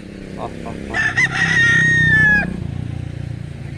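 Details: One of three White Leghorn roosters gives a single crow of about a second and a half, stuttering at the start, then a long sustained note that breaks off sharply, over a low background rumble.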